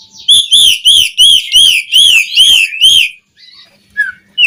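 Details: Asian pied starling lure song to excite caged starlings: eight clear whistled notes repeated at an even quick pace, each rising then falling, followed by a pause and a couple of softer notes.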